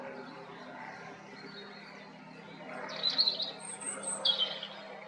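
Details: Spring song of a European robin: after a few quiet seconds, two short bursts of high, thin, tinkling notes with a very high drawn-out whistle between them, set against low steady background noise.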